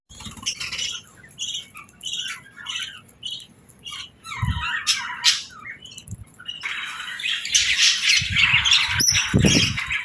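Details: Budgies on a calm morning of eating and bathing give clipped squawky chirps in short series, then a rougher noisier stretch of chatter with low bumps and splashing-like sounds.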